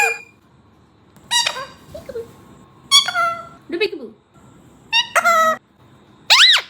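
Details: Pet parrots mimicking peekaboo in their own styles; loud harmonic syllables in separate bursts about a second apart, some wavering, ending with a sharp rising and falling whistle.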